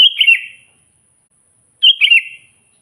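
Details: Sooty-headed bulbul, natural singing meant to provoke wild rivals. Two brisk chirpy bursts of a few notes, bright and slightly falling, separated by a second and a half of silence.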